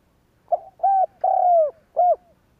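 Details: Spotted dove cooing to stir other doves into calling. One phrase of four mellow notes: a brief lead-in coo, a steady coo, a long drawn-out falling coo, then a short final coo, in quiet surroundings.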